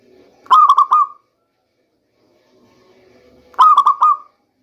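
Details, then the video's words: Two cooing phrases of a local zebra dove about three seconds apart, each a fast stutter of clipped notes ending in a held tone. The song serves as a lure during the rainy season. "Bunyi perkutut lokal terbaik untuk pancingan di musim hujan"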